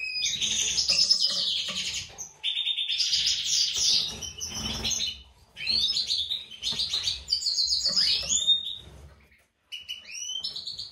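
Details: Captive breeding pair of European goldfinches, mutation male with white throat and classic female: rapid, dense twittering and buzzy chatter in bursts, brief pauses between phrases, a short silence near the end.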